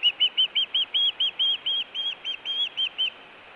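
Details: Ospreys calling at the Hellgate nest camera, Montana, on 24 June 2017, with food calling and alert calling. About fifteen clear, slightly downslurred whistled chirps come quickly at an even pace, followed by soft background hiss.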